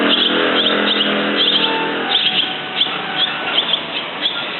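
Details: Barn swallow giving quick, sharp high chirps in irregular bursts, more than two per second at times, with a low hum in the first two seconds that then fades.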